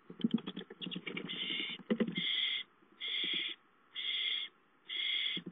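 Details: Owl nest on 5/5 during a gopher delivery at 8:53; scratchy clicks and rustling open the passage, then steady harsh hissing bursts repeat roughly once a second.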